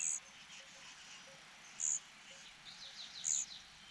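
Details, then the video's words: Hungry cuckoo chick sharing a nest with the host's own young, which the host parents alone feed; the chick is too weak to push them. Short, very high hissing bursts come about every one and a half seconds over faint chirping. "Cuckoo birds are so hungry."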